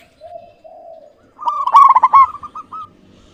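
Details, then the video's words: Local zebra dove calling in a clear voice: two soft, level coos, then a louder run of quick stuttered notes that ends in a few short spaced coos. "Perkutut lokal GACOR suara jernih"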